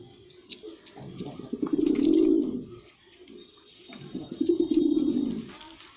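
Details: Male white pigeon performing: two long, loud, rolling coos, each swelling and fading over about two seconds, separated by a quiet gap, with a faint thin tone in the background.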